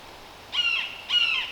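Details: Red-shouldered Hawk calling in a Connecticut forest preserve among hemlocks, ferns and mountain laurel. Two loud, harsh, slightly down-slurred, ringing notes sound about half a second apart over a quiet background.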